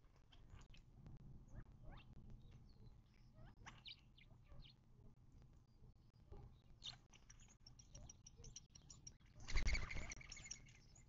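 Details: Birds at a desert watering hole in southern California's western Mojave, near Joshua Tree National Park, on 19 March 2024. Scattered chirps build into dense twittering, cut by a loud broadband burst near the end.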